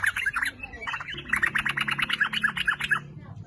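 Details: Lure recording of a lively sooty-headed bulbul, used to make other bulbuls sing. A quick string of short, bright, evenly spaced notes follows a few scattered opening notes.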